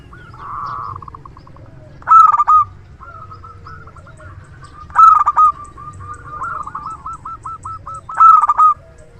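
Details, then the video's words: Zebra dove of the local type, a strong-voiced decoy bird for luring: loud staccato coo bursts about every three seconds, linked by softer stuttering trills. "Perkutut lokal gacor suara besar PIKAT ANDALAN"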